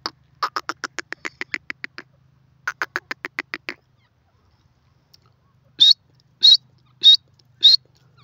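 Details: A female grey francolin (teetar) rattles off two fast series of short ticking notes, then after a pause gives four spaced, high, sharper notes about every half second; a faint low hum underlies it.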